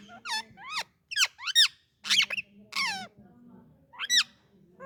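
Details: Talking Indian ringneck parakeet calling indoors: a series of loud, raspy, downward-sweeping squawks and bent chirps in uneven bursts, separated by short silences, over a soft low background hum.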